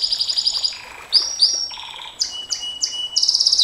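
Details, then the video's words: Canary performing 'nembak panjang' song for tutoring young singers: quick repeated high chips, lower warbled rolls, swooping upward slurs, a long flat whistle and a closing rapid trill. "Suara KENARI NEMBAK PANJANG, Untuk Masteran Dan Pancingan KENARI SANG JUARA, Canary Sound"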